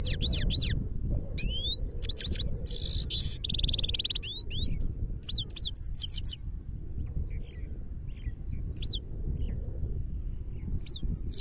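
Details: Himalayan goldfinch in Parachinar delivering a long run of lively twittering song: quick sweeping chirps, a short buzzy rattle, and bright high notes. The phrases thin out into scattered soft notes toward the end, with constant low-pitched background noise throughout.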